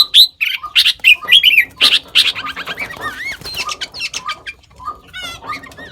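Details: Sooty-headed bulbul mimicking other bird species: a busy run of short bright chirps and squawky notes, then clear wavy whistled phrases and looping slurred notes, rapid and varied with brief gaps.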